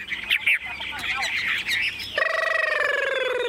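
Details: Chinese hwamei kept caged and tame in Vietnam gives a scratchy, crowded warble, then a long sustained tonal whistle that slowly falls in pitch.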